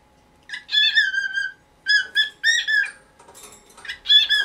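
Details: An elderly pet cockatiel in its nineteenth year calls loudly one morning, wanting its cage cover taken away: long, level, whistled notes, then shorter rising calls and a softer chattering stretch.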